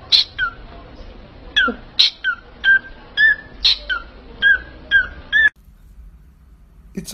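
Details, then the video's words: A parrot gives about ten short, high whistled notes that drop in pitch, quickly one after another for five seconds, then falls silent over a low hum. "PERROQUET QUI PARLE | CHANTE"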